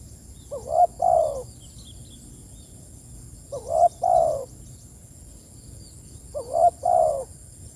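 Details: Spotted dove cooing to summon its companions, three mellow phrases about three seconds apart, each a brief lifting note followed by a drawn-out lower croo; faint twittering of small birds and a thin high hum in the background.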